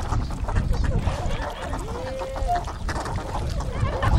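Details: Tundra swans at their wintering site on a river in Kawajima, Saitama, Japan, 4 February 2017; one drawn-out, level, hooting call sounds from the flock amid a dense murmur of softer calls and rumbling noise.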